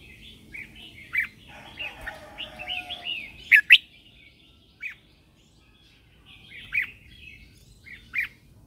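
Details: Red-whiskered bulbul lure bird in morning training, calling others: soft scattered warbled notes with two sharp loud chirps midway and spaced single notes later, with light background hiss.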